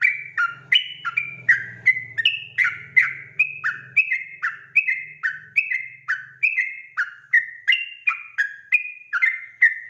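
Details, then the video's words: Fast 'ropel' lure song of a sooty-headed bulbul, used to draw replies from wild birds: around twenty-eight chirpy whistled notes over ten seconds, dipping and rising, with a faint low hum early on. "trucukan ropel gacor RAJA PIKAT ini REKOMENDASI MENJADIKAN agar burung trucuk gacor NYAUT SEKETIKA"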